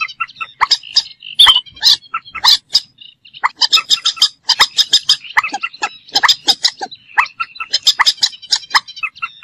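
Common moorhen giving harsh, clucking notes with some squeaky high ones, in quick bursts of about two a second with brief pauses. No other sounds are heard.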